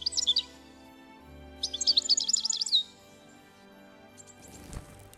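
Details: European goldfinch in winter in central Russia, where flocks roam weedy lands eating seeds, singing even in winter: bright, liquid twittering bursts with soft music underneath.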